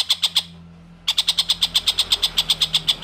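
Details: Long-tailed shrike singing briskly, recorded as tutor material for white-rumped shamas: a few harsh rasps, a short gap, then a quick regular series of scratchy chattering notes.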